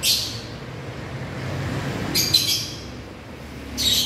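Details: African lovebirds give brief, harsh, high-pitched chirps, one at the start, a short cluster midway and another at the end, with quiet low noise between them.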